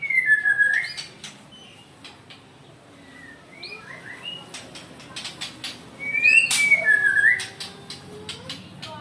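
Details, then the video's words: White-rumped shama, said to be angry, delivering a downslurred whistle, scattered chirps and a burst of sharp clicks followed by another slurred whistle. "marah dia gaesss"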